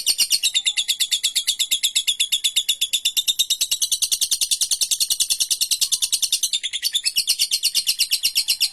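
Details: Long ngekek song of a lovebird, a master recording for training birds: dense, high, buzzing chatter of fast repeated rattles running without pause, briefly dipping near the end before resuming.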